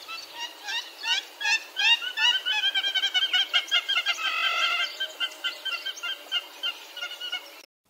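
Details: Hamerkop in Southern Africa calling: a rapid run of high, nasal yipping notes that speed up into a warbling, chattering trill for about five seconds before fading.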